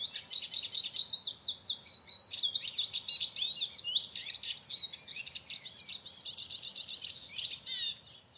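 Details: Eurasian siskin giving a long, rapid twittering run of high chirps and trills, busy and unbroken for about eight seconds, buzzy in places, over faint background noise.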